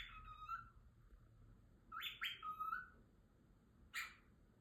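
A cockatiel chatters contentedly with warbling whistles and sharp, bright chirps.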